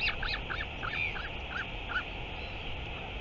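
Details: Northern royal albatross, 9 September 2023: a quick series of short, squeaky arched notes repeated about once a second, fading after two seconds into constant wind-like background hiss.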